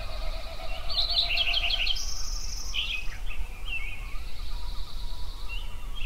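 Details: Sunrise song from birds at Yellowstone: a bright, fast jumble of high twittering notes, then a thin sustained high whistle, followed by scattered chirps and a long faint tone, over low steady noise.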